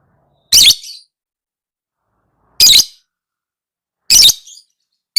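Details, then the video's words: Shrill lovebird calls from a recording meant to tutor other lovebirds into singing: harsh buzzy shrieks, each with a fading tail, spaced roughly one and a half to two seconds apart against a silent background. "Suara Burung LoveBird~for~ Masteran(biar gacor)"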